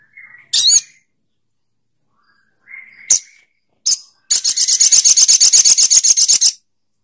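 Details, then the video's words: Sogok ontong bird: a few scattered harsh screeches, then a long dry rattle of rapidly repeated rasping notes, about four per second, lasting two seconds. "Suara Burung SOGOK ONTONG"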